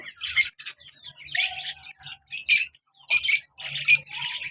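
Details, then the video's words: Lovebird pair kept as pets, colour male and black mask female, uttering sharp shrill squawks in separate clusters roughly every second, with short quiet spaces between them. "colour love bird male and black mask female beautiful sounds"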